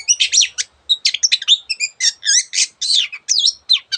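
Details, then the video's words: Long-tailed shrike (cendet) sings energetically with many borrowed bird sound variants: tightly packed, twisting chirps and warbled notes follow one another with barely a gap, clear and close. "cendet gacor masteran untuk burung yang susah bunyi banyak varian suara burung lainya"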